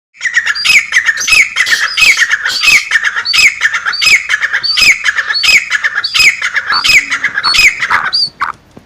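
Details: Female black francolin call, used to excite males: harsh, buzzy squawks in a rapid, slightly uneven series, roughly one to two notes per second, loud and continuous, ending with a short pause.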